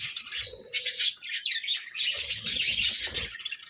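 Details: Several captive budgies chirping while eating vegetables: a busy stream of quick buzzy warbles and chirps, with soft crunching and clicks of feeding beneath.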